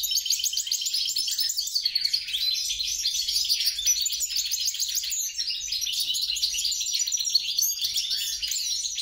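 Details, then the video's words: Mule goldfinch of European and grey-crowned parentage giving a continuous high-pitched twittering song, dense rattling trills interspersed with thin whistles. "bastard, mule, carduelis carduelis x carduelis caniceps."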